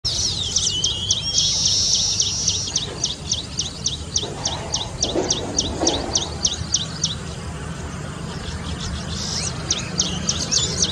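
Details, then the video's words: A Baya Weaver near Kapra Lake, Hyderabad, on 2 October 2020 gives rapid, high chattering chips in a fast ticking series with a brief sweeping whistle, pausing midway then resuming, over a steady background hum. "Baya Weaver"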